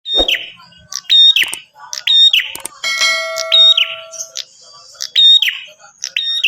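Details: Bar-winged prinia calling vigorously, used to lure other prinias into answering: sharp, high chirped phrases with bright whistled notes, repeated about once a second, while a sustained ringing bell-like tone sounds briefly midway.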